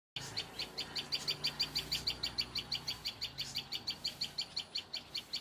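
A tailorbird gives loud, sharp, high chirps, about three each second, in a steady run, with a faint low rumble underneath.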